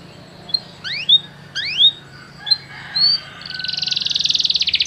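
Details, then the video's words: Canary song used in training to get a canary to sing: a few separate rising, slurred whistled notes with pauses, then a fast, even buzzy trill that builds toward the end. "o som de atrair seu canário para cantar imediatamente"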